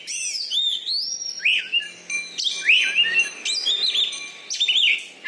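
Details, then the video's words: Loud-voiced caged Oriental magpie-robin, a song-contest champion in Bengkulu, Indonesia: bright rising and falling whistles and ringing chirps in quick phrases, delivered almost without pause. "BURUNG KACER JUARA DI BENGKULU"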